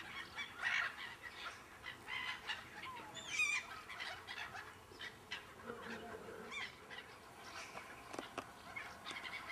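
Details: A flock of gulls circling overhead for about twenty minutes after appearing out of nowhere; scattered sharp, rising and falling calls from several birds at a distance over steady background hiss.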